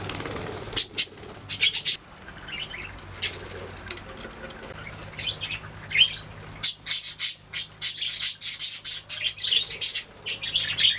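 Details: Pet budgies making sounds: scattered high chirps and squawks early on, a quiet stretch with faint twitters, then a busy burst of rapid chirping toward the end over a low hum.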